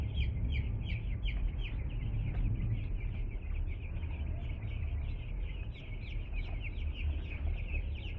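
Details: Just-arrived two-day-old chickens keep up a busy chorus of short high peeps sliding downward, many overlapping, against a strong steady low-frequency rumble.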